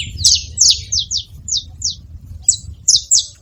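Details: Saffron finch uttering a handful of crisp descending chips, a quick cluster at first, then spaced single notes and a final pair, against quiet low-frequency noise.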